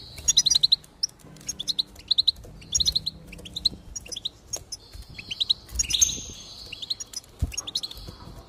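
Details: Singing goldfinch used to rouse other finches to song: rapid tinkling note clusters repeated at a steady pace, then a longer buzzy, wheezing phrase and scattered chirps.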